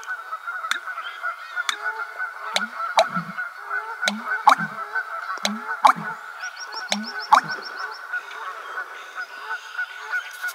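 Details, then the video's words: American bittern (Botaurus lentiginosus) pumping at close range on 1 May 2022, October Mountain State Forest, Massachusetts: deep, hollow paired gulps about once a second, with clicks, steady hum and a brief high trill from another bird. "American Bittern (Botaurus lentiginosus) Pumping"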